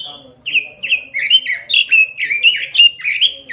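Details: Robin singing hard in the 'gacor' manner for luring and training other birds: a long unbroken string of quick warbled notes, each one swooping downward, delivered nearly twice per second without pause.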